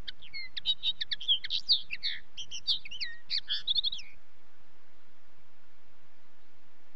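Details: Common linnet: a four-second stretch of rapid, high, chattering twitter with slurred whistles, ending abruptly into quiet.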